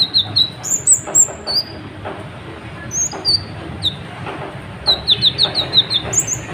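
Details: Sunbird, local name kolibri ninja, singing without stopping to provoke other birds: high slurred whistles and chips in uneven bursts, ending with a quick run of repeated sharp notes, quiet background hum.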